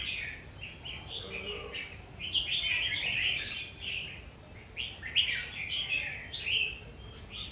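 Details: Warrior red-whiskered bulbul in steady song: clear, bright, rapidly warbled phrases, each about half a second, following one another with short gaps, loud and dominant over faint low noise.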